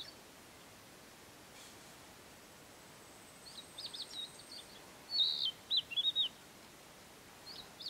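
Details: A Narcissus flycatcher in mountain forest at Matsunoyama Onsen, Japan, sings a brief phrase of clear, varied whistles, softer at first and then louder.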